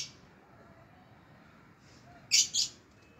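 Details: A Red-vented Bulbul gives two quick, harsh, scratchy notes after a quiet stretch, as a Persian cat climbs the tree to attack it.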